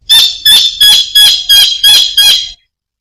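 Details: Kingfisher (tengkek udang) calling actively: seven loud, harsh, screechy notes at a steady pace of about three per second, then silence.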